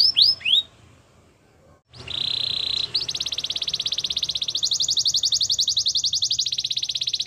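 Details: Belgian canary warming up with a training song: a few quick slurred notes, a short silence, then a low buzzy trill leading into a long, very rapid pulsing trill that climbs higher and holds steady.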